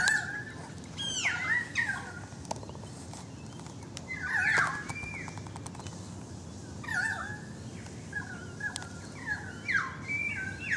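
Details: Currawong song from a balcony: scattered bursts of descending and looping whistles spaced across the stretch, some harsher clicks and rustles between, over a quiet hum.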